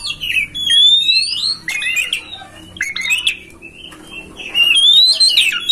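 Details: Oriental magpie-robin master song used to coax a kacer into opening its tail and singing: varied whistled phrases, rising and falling slurs, and harsh scratchy bursts, with a faint low hum beneath.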